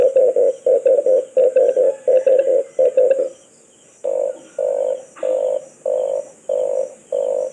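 Red collared dove giving a quick run of deep, rough coos, then slower single coos about every two-thirds of a second, with a faint steady high hiss behind.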